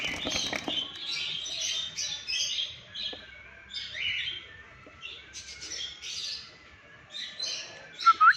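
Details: Alexandrine parakeet at 6am giving a steady series of harsh, rasping squawks, each short and grating, with brief rustling or wing noise at the start and a few sharper notes near the end.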